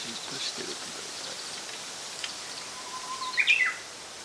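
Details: Japanese robin in 2014, heard while bird watching. Hissing background and faint murmured sounds open the recording, then a level whistle gives way to a brief loud rattling burst.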